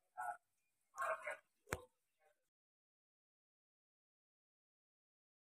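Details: Short bursts of human speech and one sharp slap, followed by silence; no animal voice heard.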